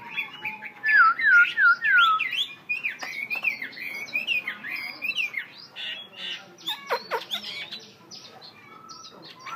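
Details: Black-throated laughingthrush, a tamed bird, opening with a quick run of clear descending whistles, then switching to varied chattering, squeaky notes and sharp clipped sounds in a fast, busy sequence.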